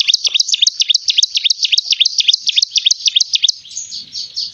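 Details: Bar-winged prinia in full, persistent song: a fast, even train of high sharp chirps, about three to four per second, trailing off into softer notes at the end.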